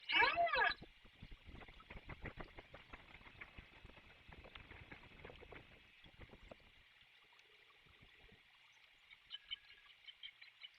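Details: A crow in Savannah, recorded 27 October 2022, gives one loud, harsh caw at the start, followed by a steady high insect drone and scattered ticking sounds.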